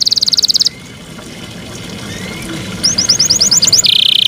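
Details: Kept Yorkshire canary singing: a quick high trill, a pause, then a run of short rising notes that ends in a steady buzzy trill.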